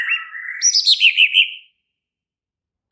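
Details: Excited White-rumped shama giving a short song: a low whistled slur rising into a rapid series of about six bouncing warbled notes, then silence.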